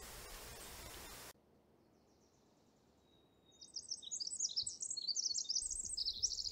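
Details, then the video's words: A flock of Chestnut-backed Chickadees in the spring forest canopy gives soft, delicate calls: a quick scatter of thin, very high chips and twitters after a brief burst of broadband noise, then a hiss. "Also in the canopy, we can hear the soft, delicate calls of a flock of chestnut-backed chickadees."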